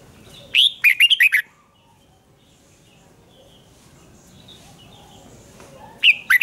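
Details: Red-whiskered bulbul fired up for a duel song: a rapid burst of five or six loud, sweet, warbling notes, a long quiet stretch with faint distant chirps, then another sharp whistled phrase begins at the end.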